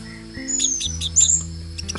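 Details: A captive orange-headed thrush, set out in the morning before sunrise and learning to sing loudly, gives sharp, high chittering notes and a couple of thin whistled streaks over two seconds, with soft music humming underneath.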